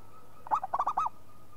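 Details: Local zebra dove in lively song: one stuttering phrase of four quick, rounded, hooting notes, the first higher and the rest bobbing up and down.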